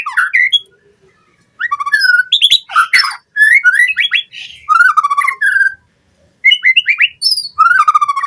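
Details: White-rumped shama song recorded as training lure for caged birds to sing with full fill-in phrases: four bursts of varied whistles and trilled notes, each about a second long, with clear pauses between.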